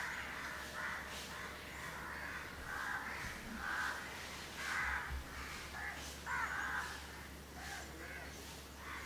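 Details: Two house crows preening each other in Candolim, Goa, India, December 2010, uttering a steady series of rough, nasal caws, each roughly half a second long, repeated about once a second.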